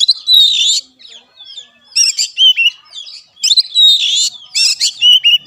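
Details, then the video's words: Oriental magpie-robin (kacer) master song for coaxing a reluctant caged bird to sing. Harsh, rich bursts alternate with thin whistles, each loud phrase about a second long, separated by quieter twittering. "BUAT KACER MACET || SOLUSI MASTERAN MUJARAB"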